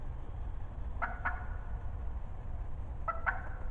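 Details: Talkative wild turkey hen calling close in spring 2020: two pairs of short, sharp yelps about two seconds apart, each note quick and clipped, with constant low-pitched rumble underneath.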